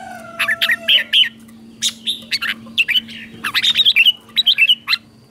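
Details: Red-whiskered bulbul singing in the morning to stir other bulbuls into song: short bright chirps and warbled whistled phrases in quick bursts, over a steady low hum and a faint falling whistle at the start.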